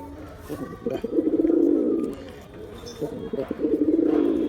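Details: Male pigeon putting on a display, giving deep gurgling coos, two drawn-out rolling phrases of about a second each separated by a short pause, with low background hum.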